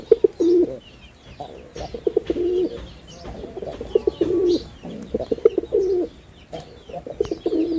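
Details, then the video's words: Red-bordered wild pigeon male in Bangladesh, repeating deep purring coos roughly every one to one and a half seconds, with clicks and distant high-pitched bird chatter. "লাল বডার বুনো কবুতরের অসাধারণ ডাক || Pigeon Sound Effect || Male Pigeon Super Performance"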